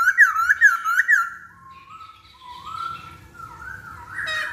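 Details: Lure song of the masked laughingthrush, meant to get other birds singing: three quick looping whistled notes, then a soft wavering whistle that rises and falls, ending in a brief harsh burst.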